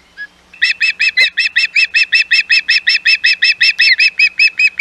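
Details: Osprey calling at Hog Island nest on 11 May 2021 with intruders near: one soft note, then around twenty loud, evenly paced whistled chirps delivered quickly and without pause.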